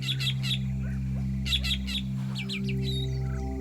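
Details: Drongo in the Kalahari Desert mimicking a goshawk's call to scare meerkats off their food and steal it: sharp, high stuttering notes in quick groups of three over a low droning musical background.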